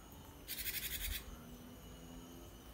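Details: Gelatik wingko, the cinereous tit, a cage bird whose song is used to make other birds respond. One brief burst of fast, scratchy pulsed notes lasting under a second, followed by quiet with low background noise.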